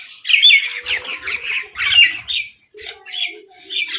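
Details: Crows fighting over food, with a mynah also present: harsh, overlapping squawks in quick bursts, several raspy calls tumbling over one another, with brief gaps between noisy clusters.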